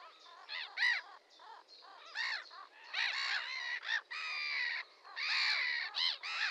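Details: Red-crested pochard giving harsh, croaking squawks, some short and clipped, others drawn out over half a second, arriving in an irregular run with varying loudness.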